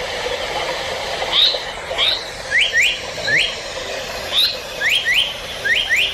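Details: Japanese paradise flycatcher song played from a bird-calling device, a species described as most active and starting to breed now: short, bright upward-sweeping whistles, mostly in quick pairs, about every second over steady hiss.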